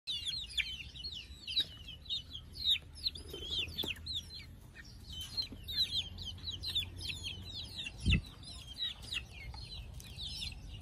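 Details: Many chicks settling down to sleep, giving a dense chorus of high, thin peeps that overlap continuously, with occasional soft thumps and a low steady hum underneath.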